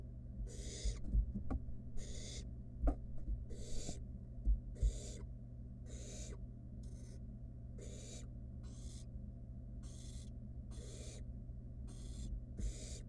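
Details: Nestling wild barn owl with food delivered by its mother, producing a long series of about thirteen rasping, snore-like hisses, roughly one per second, with scattered scratching taps and a steady background hum.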